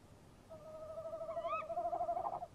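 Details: A pair of tawny owls converses by a nest box in the early hours of 23 March 2015. A long quavering hoot runs for two seconds, and partway through a sharp rising note cuts in over it.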